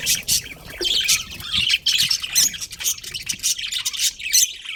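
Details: Budgerigar breeding pair in a colony: continuous high, scratchy chattering with quick overlapping chirps and squawks, several birds calling at once with no pauses.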